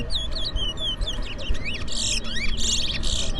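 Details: Twa-twa finch singing in a song race between two birds in Berbice, with the singing counted aloud; quick varied whistled and warbled phrases with buzzy trills, sung continuously over a steady low background hum.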